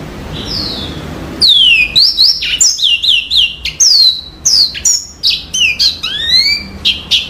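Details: Yellow-fronted canary singing a very clear song: after a second of faint high notes, a lively run of loud whistled downslurs, quick upsweeps and short chirps follows in a varied, continuous pattern.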